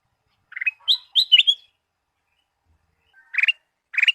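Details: Sooty-headed bulbul lure recording with full song variations, meant for morning use with caged birds: short bursts of chirpy, bubbling notes, some rising, in clusters separated by pauses, on a silent background.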